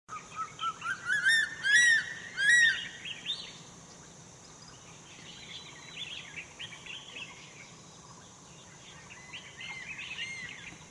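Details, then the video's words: A crested serpent eagle at Zhushan on 2 March 2011 gives a short run of loud, ringing, slurred whistles over about three seconds, followed by softer chirps from other birds and a steady high insect hiss. "大冠鷲鳴叫 Crested Serpent Eagle sounding"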